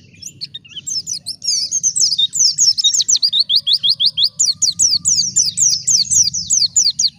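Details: Lure recording of a wild white-eye singing to draw out replies from other birds: a long, dense run of sharp high chirps, quick descending strokes repeated several times a second with barely a pause.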